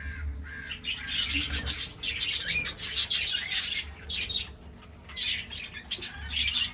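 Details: Breeding budgerigars, 2026, chatter in uneven bursts of scratchy, high notes mixed with short whistles, with pauses between groups and a faint low hum underneath.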